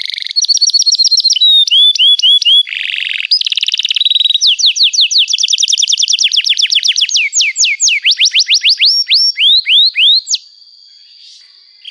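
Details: Canary singing a long, vigorous 'gacor' song with 'cuit cuit' notes, offered as a lure for young canaries learning to sing: rapid series of repeated whistled sweeps that change tempo and pitch, a harsh rattling burst, then falling slurred notes before a quiet end.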